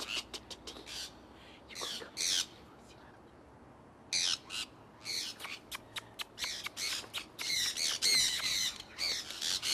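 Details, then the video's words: Pet conures from one flock flying outdoors in Iowa in early spring 2003. Harsh, raspy squawks come in rapid irregular bursts with short clicks between them. A quiet gap falls midway, then the calls build into a dense overlapping chorus. "Iowa Conures Flying"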